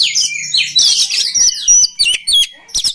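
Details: Short burst of oriental magpie-robin song: sweeping whistled notes, one clear sustained high tone, then separate quick chirps with small gaps, used to train other birds of its kind.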